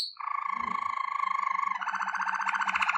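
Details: Waterslager canary song for training, a sustained rolling trill of even repeated notes that shifts to a faster, fuller bubbling roll partway through.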